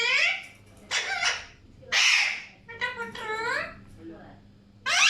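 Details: Alexandrine parakeets mixing harsh screeches with nasal, chattering notes that rise and fall in pitch, loud bursts alternating with softer passages and short silences, over a low hum.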